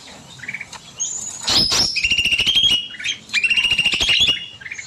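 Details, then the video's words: Evening bulbul song in an aviary: quick high chirps and rising whistled phrases, with repeated bursts of wing flapping that break into the song. "Burung Cucak Mini Gacor Panjang"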